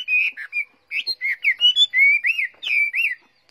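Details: Caged Chinese hwamei, a trained bird, singing a rich run of varied clear whistled notes and slurred phrases, rising and falling, delivered in quick bursts about three per second with brief pauses.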